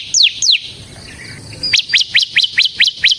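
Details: Bar-winged prinia (ciblek semi), gacor ngebren song used as a lure for ciblek kristal: two descending slurred notes, a short gap, then eight rapid sharp rising chirps at a steady pace.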